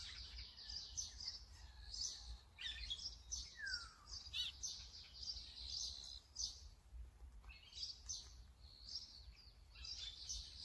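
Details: Brown-eared bulbul giving harsh, high, squeaky calls in rapid irregular bursts, with one clear descending slurred note, against a steady low background hum.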